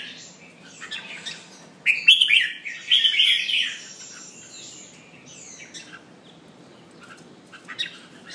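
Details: Caged red-whiskered bulbul pumping while singing; after soft scattered chirps comes a loud, rich phrase of tumbling whistled notes lasting about two seconds, then faint clicks and thin calls.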